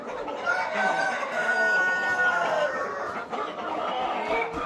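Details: Flock of super hybrid laying hens at a poultry farm during egg production. A dense, continuous chorus of overlapping clucks and drawn-out squawks is heard, with some faint voices mixed in.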